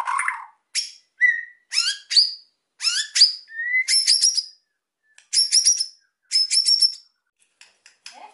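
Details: Emotional white-rumped shama song intended to prompt quiet birds to sing: sharp high sweeping notes, clear whistled slurs, and repeated buzzy high bursts separated by brief pauses.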